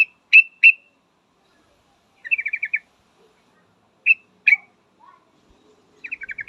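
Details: Female yellow-vented bulbul calling for a male, giving short sharp single notes and quick stuttering runs of five or six bright chirps, with quiet pauses between.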